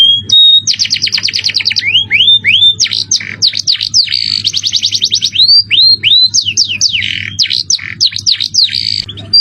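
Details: Loud close canary song in a luxurious style, opening with a level whistle, then a fast rattling trill, rising slurred notes and rapid sweeping phrases, over a soft steady hum.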